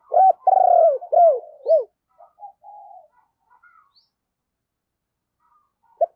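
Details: Lure spotted dove calling wild doves: a rapid series of loud, arched coos in under two seconds, then soft scattered notes, quiet stretches, and one sharp coo near the end.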